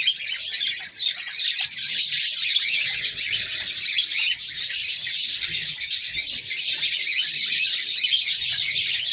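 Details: Red-crowned parakeet female, ready to mate, keeps up a dense, scratchy, high chattering with rapid irregular notes, around two or three per second, that never pauses for long.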